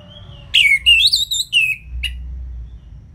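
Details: Orange-headed thrush song used to stimulate lazy caged birds: a few strong slurred whistles sliding downward, then a single short sharp note after a pause, with low hum beneath.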